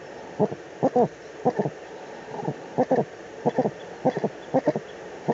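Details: Uhu at the nest site, Eifel, Germany, early March 2020: soft low double notes, some clustered in threes, coming in uneven bursts roughly every half second to second, over a quiet hissing background.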